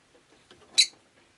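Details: Rosy-faced lovebird on a rainy day, one brief sharp raspy chirp standing out from faint background noise.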